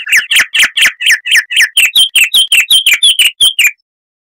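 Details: Bright, crystal-toned song of the chestnut-vented warbler (Sylvia subcaerulea) from South Africa and neighbouring countries: about eighteen evenly spaced, loud notes, lower and buzzier at first, then higher and clearer.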